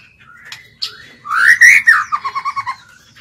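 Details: White-rumped shama lure bird singing to challenge wild birds: a couple of short squeaky notes, then a loud rising-and-falling whistled slur followed by a quick series of six or seven lower, even notes.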